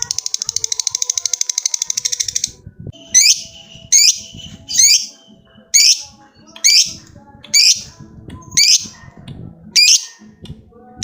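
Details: Lovebird calling a rival. A rapid, high ngekek trill lasts about two and a half seconds. Sharp, separate squawking notes follow roughly once a second, with faint low background rumble.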